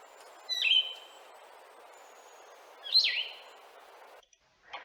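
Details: Blue-headed vireo song, described as sadder and slower with longer pauses: two separate short, clear whistled phrases, each slurred and sweeping, spaced over two seconds apart with silence between, faint background hiss.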